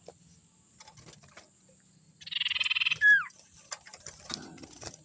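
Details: Young forest sirtu used as a lure call: a rapid buzzy rattle of even pulses ends in a loud falling whistle, with faint background hum and scattered clicks.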